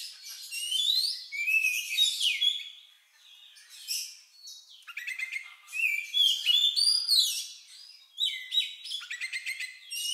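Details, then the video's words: Oriental magpie-robin singing its odd, lovebird-like song, used to get other birds singing: ten seconds of energetic, varied phrases of sharp chirps, slurred whistles and trills, separated by short quieter spells. "Suara Burung Lagu Unik Kacer Ini Cocok Untuk Pancingan"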